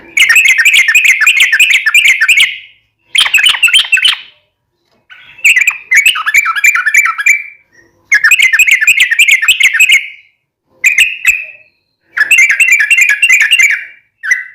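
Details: Gacor Yellow-vented bulbul song for daily masteran, meant to make caged bulbuls answer at once: repeated bursts of fast, bubbly chattering, each lasting one to two and a half seconds, separated by brief silent gaps.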